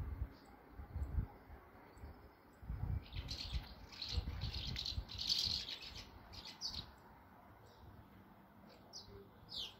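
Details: Swallows gathered in numbers at one nest with chicks in Bulgaria; dense, rattling high twitter in the middle, isolated thin chirps before and after, faint background rumble.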